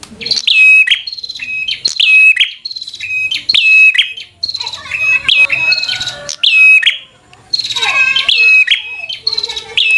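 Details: Bar-winged prinia, constantly singing in fighter style to provoke a rival. Regular loud phrases of clicking snaps and sharp whistles about every second, with a denser, tangled burst toward the end.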